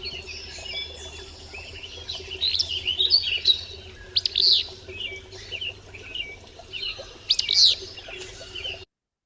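Willow Flycatcher giving its hoarse, buzzy, sneezy fitz-bew song, repeated three or four times, high and sharply slurred.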